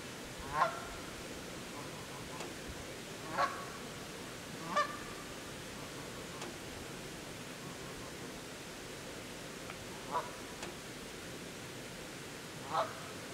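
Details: Canada geese with goslings struggling to keep up with their parents; six short, harmonic honks spaced irregularly across the stretch, the loudest near the start and middle, over a steady background hiss.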